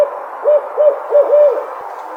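An owl gives four or five short, soft hoots at a low-mid pitch, roughly three per second, the last ones running together; a steady background hiss underlies them.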